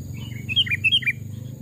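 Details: Sooty-headed bulbul, a trapped bird aged two to three years raised from a chick, heard in a forest; one quick, clear phrase of five or six loud, bouncing whistled notes, dipping and rising, over faint low hum.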